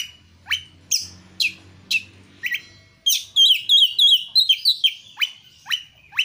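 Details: Kacer, the Oriental magpie-robin, sings as a lure to make others sing: spaced sharp downslurred whistles, then a fast series of repeated looping bright notes, with faint low hum early on.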